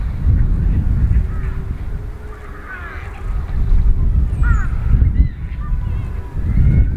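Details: Wild Eurasian wigeon at Nisanzai Kofun, a World Heritage burial mound site: several short, clear whistles that rise and then fall, grouped around the middle of the recording, over steady low wind rumble and faint background voices.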